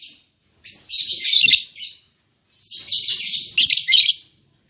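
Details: Two lovebirds, an albino MM male and a lutino MM female newly paired, produce two long bouts of rapid, harsh, high-pitched chatter separated by about a second of silence.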